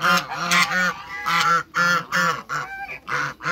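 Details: Farm flock of African geese meeting other waterbirds, giving loud, strident nasal honks in quick succession, roughly two or three per second, each with a rising then falling, trumpet-like tone and short pauses between.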